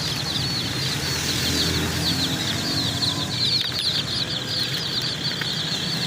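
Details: Many chicks chirping together while new chicks are being bought: a dense, continuous chorus of high, short, downslurred peeps over a steady low hum.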